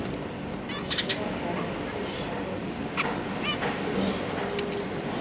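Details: Zebra finch family with three juveniles and three newborn babies, parents busy feeding the young; a few short nasal stacked calls around one second and three seconds, over a steady low hum.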